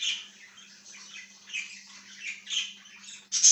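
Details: Budgerigar chatter from 1/6/2023: busy, scratchy warbled chirps and squeaky notes in quick succession, ending in a sudden loud harsh squawk, with a faint low hum in the background.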